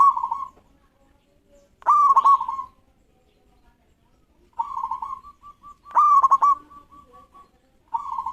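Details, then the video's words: Local zebra dove singing quickly in response, drawing rivals into song; repeated stuttering coo phrases with rapid pulses and level trills, interleaved with softer trilled coos, perhaps from a second dove. "Perkutut Lokal Gacor Respon Cepat Bikin Lawan Langsusung Bunyi"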